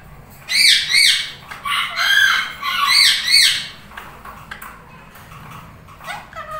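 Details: Two tame Indian ringneck parakeets, one lutino, bonding and talking together: repeated harsh arched screeching calls in quick pairs, then quieter scattered notes over a steady background hiss.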